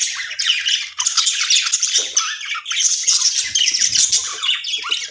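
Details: Aviary budgies chattering nonstop: dense, high-pitched warbling, chirps and squawks overlap with almost no breaks.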